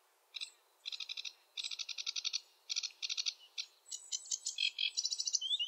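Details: Sedge warbler singing its varied, rushed chattering song in a wetland: rapid rattling bursts of harsh notes, growing busier into mixed whistled and buzzy phrases with sweeter slurred notes at the end.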